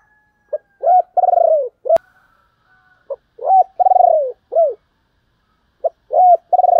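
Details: A dove (cu gáy, used as a decoy call to lure other doves) coos in three short phrases, each a quick note followed by a longer hollow, wavering coo, with brief pauses between; nothing else is heard.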